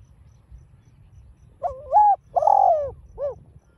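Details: One full phrase from a spotted dove in 'đồng pha' voice, used to stimulate caged doves: a rising wavering coo, a broad sustained coo, then a short soft end note, against faint low rumble.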